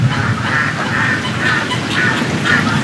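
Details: Domestic ducks, penned and waiting for food during a heavy late-summer thunderstorm, quack in a raspy, overlapping chorus of about two calls a second over a steady rush of heavy rain.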